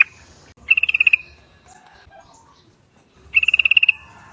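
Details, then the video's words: Lure call of the Yellow-vented Bulbul, intended to make a flock answer: two fast pulsed trills of about eight notes each, separated by a quiet gap of roughly two seconds. "Trucuk bakan ikut bunyi kalo denger trucuk yang satu ini ‼ Trucukan ombyokan auto nyaut"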